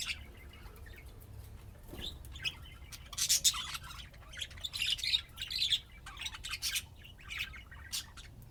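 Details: Budgerigars at play give scratchy, chattering calls and squeaky chirps in quick uneven bursts, getting busier toward the middle, mixed with soft rustling.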